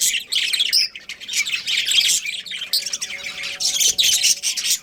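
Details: Breeding pair of budgerigars giving continuous scratchy, buzzy warbling chatter, with dense bursts of harsh chirps that rise and fall in loudness across nearly five seconds.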